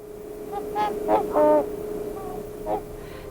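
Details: Trumpeter swans in Idaho in February, amid winter snow and ice, give five or six brassy, horn-like honks at an uneven pace, some overlapping, over a steady low hum.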